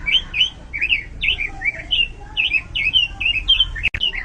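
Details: Robin kept by songbird fans delivering a quick series of high, warbling whistled notes, each twisting up and down, in an even rhythm, with a brief click near the end and low hum behind.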